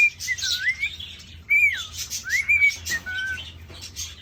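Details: Male cockatiel whistling while courting a female, kept in a cage in an indoor aviary: clear, sliding whistled notes that rise and fall, separated by short gaps, with soft chirps and scratchy background noise.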